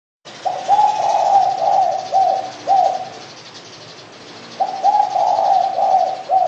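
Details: Spotted dove calling with a series of soft low coos, phrases rising and falling around the same pitch, a burst of several coos, a pause of about one and a half seconds, then another run of coos; faint background hiss.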